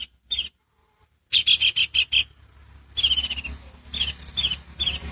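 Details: Long-tailed shrike singing a master recording meant to teach other birds: a brief harsh note, a pause, then five quick grating bursts followed by a longer scratchy, buzzy stretch with faint low background hum.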